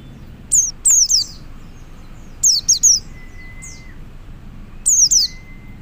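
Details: Male white-eye calling to other white-eyes: sharp, high, thin notes sliding downward, given in tight bursts of two or three about every two seconds, with a faint steady whistle in between.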